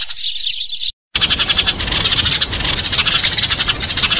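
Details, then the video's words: Eurasian tree sparrows fighting chatter in dense, harsh, overlapping chirps, a rapid and uneven burst of high notes with a brief break near the start. "BURUNG GEREJA TARUNG"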